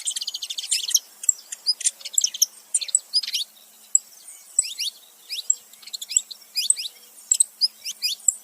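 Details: Pair of saffron finches, male and female, chattering: a rapid, rattling burst of high chirps first, then scattered thin downslurred notes and tweets, softer and more spaced toward the end.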